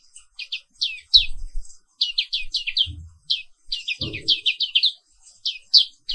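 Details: Morning singing by a caged Papuan black-capped white-eye, Zosterops atricapilla: lively high chattering notes in quick groups of two to four, with a few knocks and bumps in the background.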